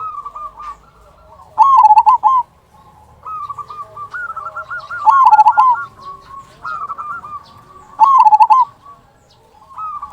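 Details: Local zebra dove's kung song played to rouse other doves. Loud stuttering coo bursts near 2, 5 and 8 seconds stand out over continuous softer rolling trills from more doves.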